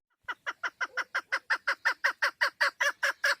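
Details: Female chukar partridge giving a steady run of about fifteen harsh, clucking chuck notes in three seconds, each note broad and loud, evenly paced with no other sounds.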